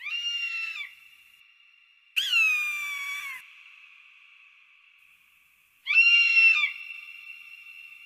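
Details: An eagle stalking its prey gives three harsh, high screams, each about a second long and falling in pitch. They are spaced a few seconds apart, with a faint steady ringing tone between them.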